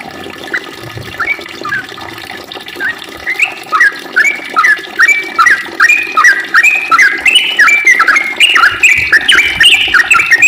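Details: Trucukan singing actively in a long, rapid run: bubbly, chattering notes repeated a little over once a second, climbing gradually in pitch and growing louder as the song continues.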